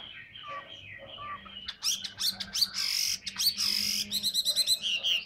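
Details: Hwamei, described as a big, handsome bird that sings a lot, in full song. After a quiet start of soft whistled notes, it bursts into loud, varied whistles and harsh rasping phrases, then ends in a fast run of even, repeated notes.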